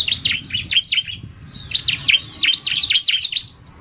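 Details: Bar-winged prinia, male in 'narung' style alongside a fast-calling female: shrill, rapid chirps tumbling downward in bursts, a brief lull mid-way, then another quick chattering run of high notes.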